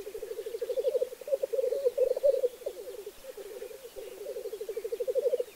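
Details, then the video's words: Lek display of black grouse: an unbroken stream of low, rapid, gurgling pulses rising and falling in loudness, broken only by brief dips, in a quiet natural setting. "Тетерев на току"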